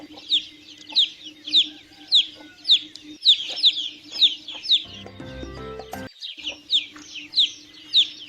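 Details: Chicken chicks peeping in rapid high, falling notes, one to two each second, interrupted near the middle by about a second of loud tonal, musical-sounding noise before the peeping resumes.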